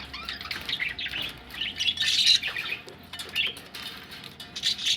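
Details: Budgerigars ready for laying eggs chirp and warble together, with a loud squeaky peak around the middle and bursts of scratchy tweets before and after.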